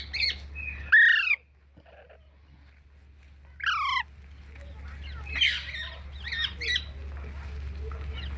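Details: A parrot gives short harmonic squawks and rising call notes near one and four seconds, followed by fainter chattering calls, over a steady low hum.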